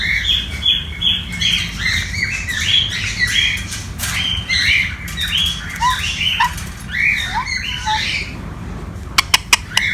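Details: Playing pet sun conure uttering a run of harsh rising and falling squawks, dense and rapid, with a few softer chirps and sharp clicks toward the end over a low background hum.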